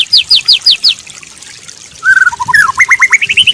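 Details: White-rumped shama song used as a training recording for a stressed bird that has stopped singing: quick bursts of high, sharply descending trilled notes, a pause, then a run of clear whistled notes rising and stepping upward.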